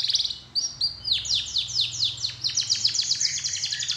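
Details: Lure song of a canary, meant to make other canaries sing: brief high notes, then a series of sweeping slurred whistles that quicken into a rapid rattling trill, over a steady faint low hum.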